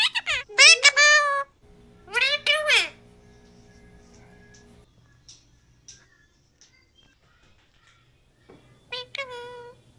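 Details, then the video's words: Captive cockatiel mimicking "peekaboo": loud raspy, nasal syllables in quick pairs at the start, a long quiet stretch with soft clicks and a low hum, then a final short burst of harmonic syllables. "Cockatiel saying Peakaboo"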